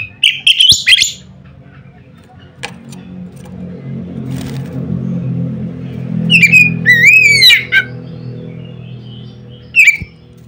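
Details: A loud Oriental magpie-robin song intended to provoke other magpie-robins, with whistled bursts at the start and middle and a last brief note, partly masked by the rumble of a passing vehicle.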